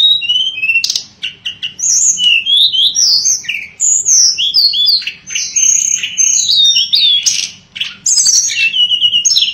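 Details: Tledekan pring shortwing delivering a long, fast, varied song of sharp high chirps, slurred whistles and rolling trills, loud and nearly continuous.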